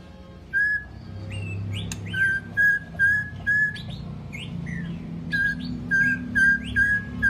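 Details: White-rumped shama long-voiced song for training: a clear steady whistled note repeated about every half second, each mixed with quick high slurred flicks, over a faint low hum.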